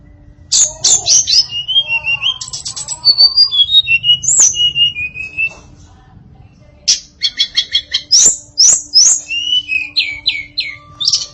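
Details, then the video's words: Varied song of a female tledekan, hill blue flycatcher: bursts of rapid high chips and trills, then drawn-out falling whistles and lower slurred notes, pausing briefly between phrases over a faint constant hum. "Kicau Memukau Tledekan Betina Yang Bersuara Variatif"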